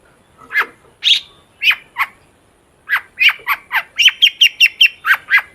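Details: Long-tailed shrike song for luring shrikes into singing: scratchy, downslurred chips spaced half a second apart, a short pause, then a quicker rhythmic series of bright, clipped notes.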